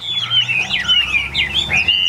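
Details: Yellow-billed caged Chinese hwamei, number seven of eight newly arrived birds in Vietnam, delivering a short burst of fluid whistled notes looping up and down in quick succession.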